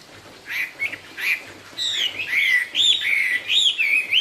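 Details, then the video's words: 'Cao cầu' style hwamei song: a few short sharp notes, then clear, loud whistled phrases that swoop up and drop back, repeated in quick succession. "Trong rừng có cây Thông mọc thẳng, con chim hót cũng thẳng " Họa mi cao cầu""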